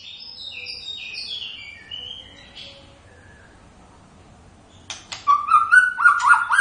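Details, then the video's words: White-rumped shama song: soft high whistles at first, a long quiet gap, then loud sharp clicks and a fast ringing whistled phrase near the end. "Kicauan khas Murai Batu"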